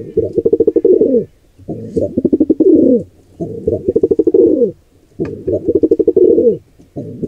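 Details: Pulsing pigeon coos fill the scene as an intruding pair attacks a nestling in a wild birdcam nest. Each phrase is a rapid stutter of low beats that slides into a longer downward note. The phrases repeat with brief pauses.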